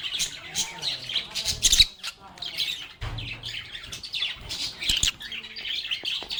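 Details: Lovebirds, also called parakeets, singing and talking to each other in a calm environment: busy high-pitched twittering and squeaky notes with short sharp squawks, over faint low murmurs and occasional soft thuds.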